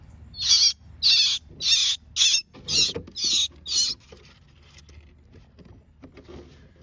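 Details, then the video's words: Baby northern mockingbird calling for help: seven loud, harsh, hissing rasps, about one every half second, then stopping, followed by faint rustling and quiet. "Baby Mockingbird calls for Help!"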